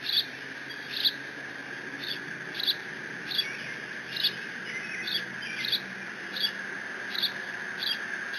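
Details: Eaglet of a bald eagle pair at the Decorah nest, recorded by live cam on 30 June 2017, mantling its father's fish; high, sharp squeaky notes recur at uneven half-second to one-second gaps, with a steady high-pitched hum behind.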